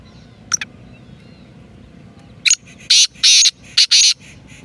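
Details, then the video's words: Black francolin, known locally as kala teetar or Sindhi teetar, calling with a series of harsh, grating high bursts, several short clipped notes followed by longer rasping phrases, over faint low background hum. "kala teetar ki awaz black teetar ki awaz sindhi teetar ki awaz"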